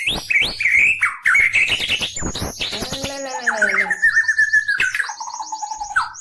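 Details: White-rumped shama in full, constant song with strange sounds, bowing down repeatedly while singing; bright whistled phrases open, then rapid runs of short high descending chirps, with a harmonic, voice-like warble breaking in midway.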